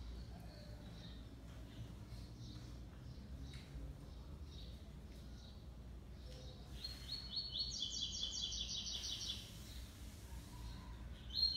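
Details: Kept double-collared seedeaters in a singing duel, a six-month-old brown male against a black male, classic three-note song: faint scattered chirps, then a loud, fast, high-pitched trilled phrase lasting about two seconds over steady low hum.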